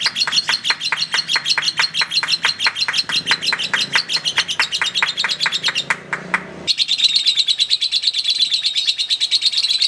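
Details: Battling lovebird in long ngekek chatter: evenly spaced high chirps for six seconds, a short break, then a thick, continuous screechy wash of sound to the close.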